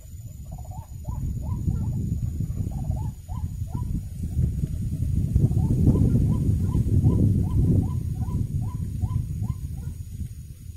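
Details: White-breasted waterhen, known locally as wak-wak, near a bird trap: short upward-flicking croaks repeated rhythmically, roughly three or four per second, over heavy low rumbling noise through most of the recording.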